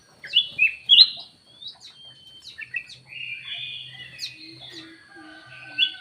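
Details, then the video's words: Varied lure call of a black-naped oriole: loud whistled slurs and short chirps, then a jumble of softer whistles and short buzzy phrases, ending with another loud note. "KUTILANG EMAS \ CUCAK EMAS SUARA PIKAT GACOR"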